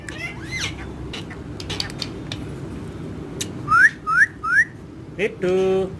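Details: Pet parrot with companion parrots, reportedly chatting in Urdu and Hindi; a quiet stretch of clicks gives way to three rising whistles, then a short chirp and a steady buzzy note.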